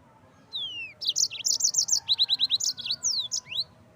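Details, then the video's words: Yellow-fronted canary in full song for training birds: a falling whistle leads into a rapid run of high repeated notes, about fifteen in a row, ending in sweeping slurred whistles. "SUARA BURUNG MOZAMBIK GACOR"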